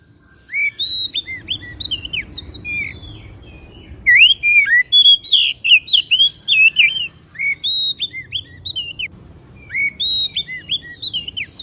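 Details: White-rumped shama singing, used to goad a caged bird into song and tail display; varied whistles and chattering trills come in dense runs, loudest in a long central burst.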